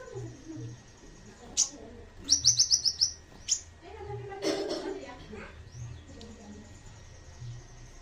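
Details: Olive-backed sunbird singing, a quick burst of about six sharp, very high ticking notes after a single thin note, with people talking in the background throughout.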